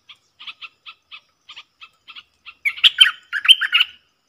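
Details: Wild bulbul from the south singing back at a lure bird: spaced, soft paired chip notes lead into a loud gurgling, warbling song burst.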